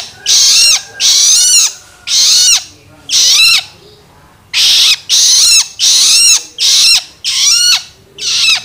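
A young Long-tailed Shrike gives harsh, rasping begging calls in short bursts, over and over.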